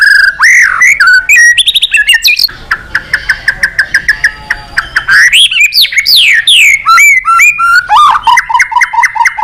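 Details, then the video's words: Lively male white-rumped shama from Indonesia, song full of imitated phrases to rouse other birds: bright whistled swoops, a stretch of quick even chips, then more varied loud slurred notes. "Suara Terapi Burung Murai Batu Gacor Emosi"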